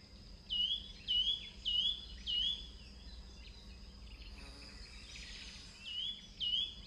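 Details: Repeating calls of a Yunnan nuthatch on a forest limb in southern China: a run of four short, high, swooping notes at even intervals, a gap with a brief hiss, then two more notes; a constant thin high tone underneath.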